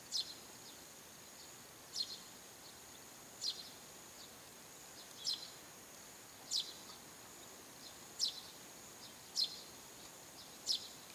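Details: Eurasian tree sparrow on a roof around seven in the morning, calling again and again. Crisp, high single chirps repeat roughly every one to two seconds, eight notes in total, with a thin constant high whine and soft hiss behind.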